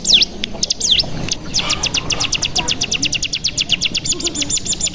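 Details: Mountain tailorbird (cigun) lure song: a few sharp V-shaped whistles, then a long, fast, even trill of thin high notes, the 'bren' style used to stimulate captive birds.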